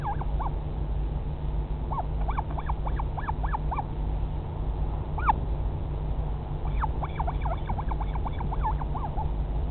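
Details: Northern royal albatross chick at the nest in the Pukekura/Taiaroa Head colony near Dunedin, New Zealand, 2017: bursts of squeaky, arched rising-and-falling calls in quick succession, a short pause, then another run, over a steady low wind rumble.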